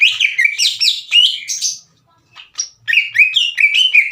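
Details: Captive greater green leafbird singing loudly and harshly, provoking another leafbird to fight: quick bursts of slurred, buzzy whistles and chattering notes, broken by a short pause, then a run of rising-falling whistles.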